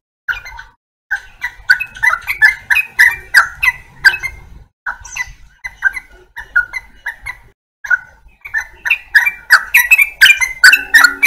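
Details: Yellow-vented bulbul giving bursts of quick, bright chirping notes, several loose phrases broken by short pauses, rhythm irregular and energetic throughout.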